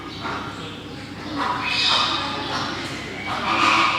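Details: One of two Toco toucans in the tropical bird house of Maruyama Zoo, Sapporo, Japan, on 17 March 2013 gives harsh, raspy croaks in two drawn-out bursts about two seconds apart, with faint voices and the echo of a large indoor hall.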